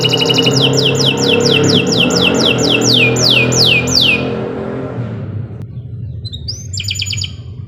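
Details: Canary in master song for teaching other birds: fast trill followed by around ten repeated falling whistles, with strong low rumbling noise throughout; after the song stops, a brief rising note and short trill come through the noise.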